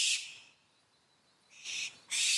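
Young barn owls give harsh, hissing screeches in three rasping bursts, each under half a second, with quiet gaps between.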